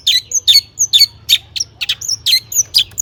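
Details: Long-tailed shrike performing a mimicry-laden song meant to trigger other shrikes: quick alternation of scratchy chattering notes and thin high whistled slurs, about two per second, with a faint low hum.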